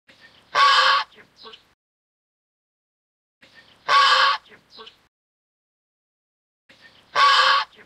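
Greylag Goose giving loud, harsh, broad honks, one every three seconds, each followed by a couple of softer grunting notes.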